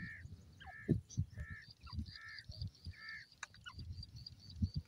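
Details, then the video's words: Francolin (teetar) calling: five harsh, nasal, banded notes repeated roughly every second, each a short level burst, over a steady high-pitched hiss and heavy low rumbling background noise with scattered clicks. "Teetar Voice,Teeter Birds ki awaaz"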